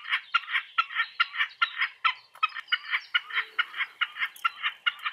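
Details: A common snipe sings in spring, delivering a fast run of rasping, evenly repeated two-part notes, roughly two or three every second, in an unbroken rhythmic sequence.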